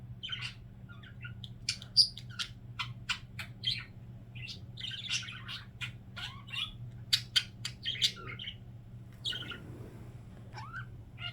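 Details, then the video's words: Budgerigar kept as a pet indoors, making sparse, separate chirps, clicks and short squeaks spaced irregularly over a faint, steady low hum. "Wait for Phoenix's funny signature sound"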